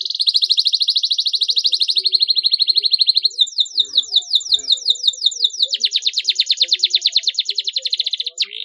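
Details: A canary, used as a prompt for quiet canaries, sings long rapid trills of high, buzzy notes, about eight per second, switching between steady rolls and sweeping chirps.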